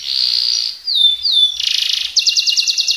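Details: Canary song for tutoring other birds: a long pure whistle, two gliding falling notes, a buzzy dense rattle, then a quick regular series of sharp high chips.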